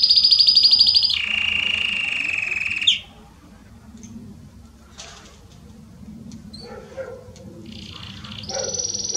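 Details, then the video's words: Belgian canary in 'estourado' song for warming up canaries: a fast high trill, then a long, lower buzzing roll for nearly two seconds, followed by quiet gaps with scattered soft chirps and a final high trill. "Canário Belga Estourado esquente seu canário belga em 30 minutos"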